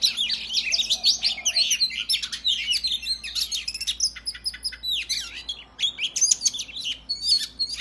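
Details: Male-provoking 'ngobra' fighting song of a kacer, the Oriental magpie-robin; dense bursts of high warbled whistles and harsh chips, fast and varied, with a faint low hum underneath.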